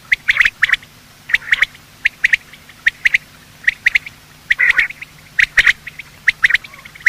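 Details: Morning calling of male and female quail, a sound used for quail hunting: clusters of quick, squeaky chirps and hard ticks come in uneven bursts roughly every half second, separated by short quiet gaps.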